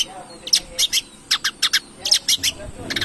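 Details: Long-tailed shrike song meant to provoke singing: clusters of short harsh, scratchy notes in quick groups of two to four, over a hissing background.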